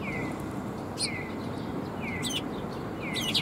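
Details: Sparrows gathering at a Tenmangu shrine on 12 December 2021 to be fed; a few short scratchy high chirps between regular thin whistles that slide downward about once a second, over constant low rumble.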